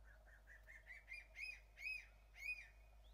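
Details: Crested serpent eagles calling back and forth on Ishigaki Island, Okinawa, Japan: a series of rising then falling whistled notes, growing louder and longer, about one every half second, over a steady low hum.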